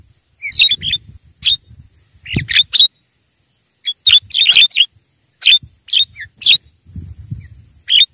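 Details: Javan myna lure sound for attracting wild mynas: scratchy, squawking notes in clumps of two or three, mixed whistled and buzzy elements, irregular pauses, and a faint low background rumble.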